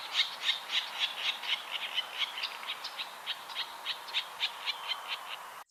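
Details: Virginia Rail, a secretive marsh bird, gives a long series of harsh, raspy pig-like grunts, about four a second, fading slightly toward the end; used by males and females to defend territories and communicate.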